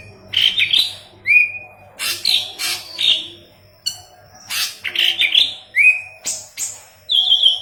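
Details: Leafbird with a yellow head in vigorous full song for training green leafbirds: loud rich phrases mixing pure whistled slurs and upward swoops with rasping noisy squawks, continuous and varied, a steady mechanical hum beneath.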